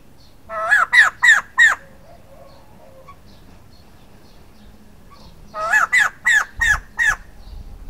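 A male white-crested laughingthrush gives two bursts of loud, ringing, rich notes: four quick notes, a pause of about four seconds, then six more.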